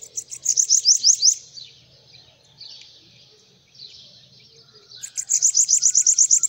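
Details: Bananaquit singing on a person's hand delivers two rapid strings of high, buzzy, evenly repeated notes, separated by a few seconds of softer high sounds.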